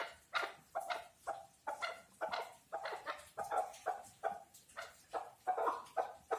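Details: Chukar partridge uttering a series of hoarse, clipped chuck notes spaced about half a second apart, fairly even in loudness, over a faint background hiss.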